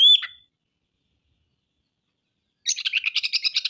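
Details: Oriental magpie-robin in active song, showing off its repertoire of learned phrases. A sharp, clear whistle slides down, then after a pause comes a rapid, rasping chatter of evenly pulsed notes.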